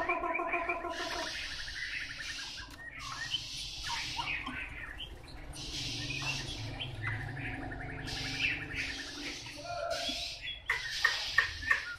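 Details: Wild-caught Chinese hwamei singing: layered whistled phrases with rich harmonics, shifting between steady tones and quick warbled notes, with a faint low hum underneath.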